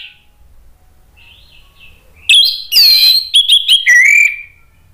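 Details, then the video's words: An agitated orange-headed thrush, used as a lure to provoke other birds into answering, gives loud, rich whistled phrases with harsh scratchy notes, a burst of varied sliding high calls after a faint distant phrase. "ANIS MERAH jadi EMOSI NYAUT ikut NGEPLONG"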